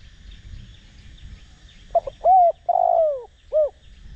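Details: A spotted dove decoy cooing in the Đồng Rặc voice to provoke other doves. After a quiet start comes one deep phrase: stuttered opening, arched coo, long sliding descending coo and a brief last note, with faint insects behind.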